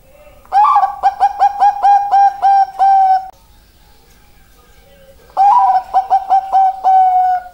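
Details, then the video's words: Zebra dove, Bangkok-strain perkutut, gives a full phrase of rhythmic, clipped mid-pitched coos closing on a longer held note. After a quiet gap of about two seconds, another phrase of rapid coos follows with a drawn-out end. "perkutut bangkok suara mantap"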